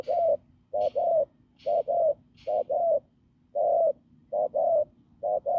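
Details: Wild field-caught spotted dove with a hoarse, strong voice cooing: low paired notes, a short coo followed by a longer one, repeated at irregular intervals about once a second, with a faint background hum.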